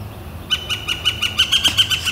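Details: Northern flicker on a warm, clear spring day, April 28, 2014, starting a quick run of sharp, evenly spaced ringing notes that grow louder over about a second and a half.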